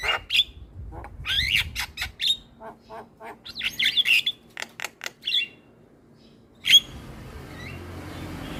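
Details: Starling song played as a lure to make silent starlings sing and call back: scattered harsh chattering notes and squeaky whistles, uneven in rhythm, with quiet gaps and one sharp whistle near the end before faint background hiss.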